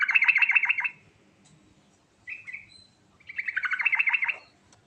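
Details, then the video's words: Yellow-vented bulbul rolling song with rich fill to draw answers from other bulbuls: a quick buzzy trilled burst, a short upslurred whistle, then another rapid rattling trill phrase; quiet background. "Burung Trucukan Ngerol Isian Mewah Paling Cepat Bikin Nyaut"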